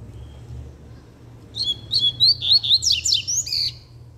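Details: Double-collared seedeater singing firmly: a run of sharp, high whistled notes and buzzy slurred trills that build and rise after a quiet start, with a faint low hum underneath.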